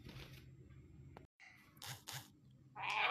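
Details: A fully hand-tame rainbow lorikeet (Trichoglossus moluccanus) gives short, harsh, rasping screeches indoors, two quick bursts and then a longer grating squawk, over a low hum.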